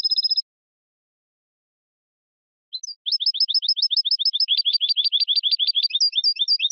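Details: European goldfinch song on a clean recording: a short high tone, a pause of about two seconds, then a dense, lively stream of repeated twittering notes that changes pitch partway through.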